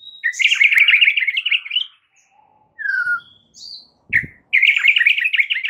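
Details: Stressed-bird conditioning recording of white-rumped shama song: buzzy rattling trills on a steady pitch, separated by a few clear whistles and a downslurred note, with a brief knock in the middle.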